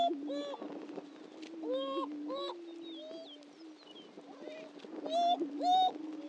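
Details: Greater prairie-chickens displaying at a historic lek on Dunn Ranch Prairie, Hatfield, Missouri: a steady low moaning drone runs throughout, broken by loud rising whoops and hooting calls with bright overtones every second or so.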